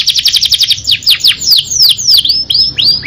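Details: Singing canary performing the ngerol nembak style: a quick burst of rapid clipped high notes, then a series of loud sweeping whistles that curve down and rise again, repeated several times.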